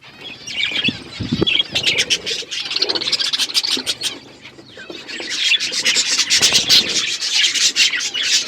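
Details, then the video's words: Outdoor aviary flock of budgerigars chirping together, a busy layered twitter of short high notes and buzzy warbles, swelling and easing, with a few scratchy clicks and low thumps early on. "Budgies flocks in outdoor aviary budgies colour budgies chirping sounds"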